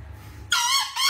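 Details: A green junglefowl searching for its escaped female gives a short, high, hoarse two-part crow after a moment of near silence.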